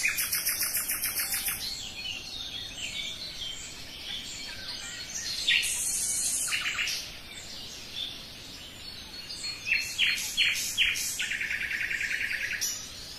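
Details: In a forest, a common nightingale sings a rapid, rattling trill of evenly repeated notes, then pauses. Piercing high bursts and a fresh series of fast pulsed notes follow, rising and falling in loudness.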